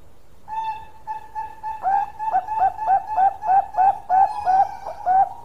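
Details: Bangkok zebra dove in long song: a few level whistled notes that build into a brisk series of short, slightly rising ringing coos, about three per second.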